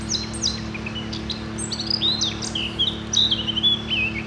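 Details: Eurasian blackcap, a Danish bird of dense breeding thickets, singing a rapid, varied warble of clear slurred and whistled notes that rise and fall, with a steady low hum underneath.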